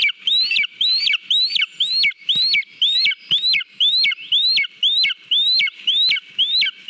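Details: Lesser spotted eagle on a nest-camera recording in Latvia, 18 July 2022, eating a mole at the nest; high, clear, rising whistled calls repeated about twice a second, steady and insistent throughout, with faint background hum.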